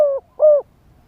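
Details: Spotted dove used as a live decoy to lure wild doves, calling in a wild-style voice: two low hollow coos, the second longer and slightly wavering, in a quiet background.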